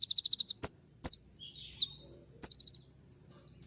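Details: Sunbird, locally called kolibri ninja, in a recording meant to provoke a response: sharp, high chirps in rapid bursts of five to six notes, with thin downslurred whistles between, repeated every second or so.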